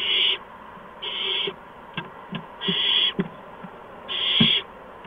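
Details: Owlets at an owl nest on the evening of March 13, 2015, around 8 PM, while adults deliver mice and a gopher. Loud rasping hisses last about half a second and recur irregularly, with soft clicks and scratching sounds between them.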